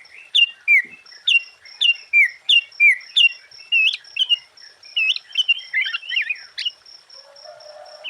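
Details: Sooty-headed bulbul in lively, full-varied song meant to provoke other bulbuls into answering: a run of repeated slurred whistled notes falling and rising near the same pitch, then a faster jumble of varied chirps, with a steady thin high tone behind.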